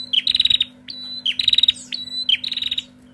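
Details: A female Bar-winged prinia calls back and forth in three bursts of rapid, high, ticking notes, a fast chatter each time, over a faint steady low hum.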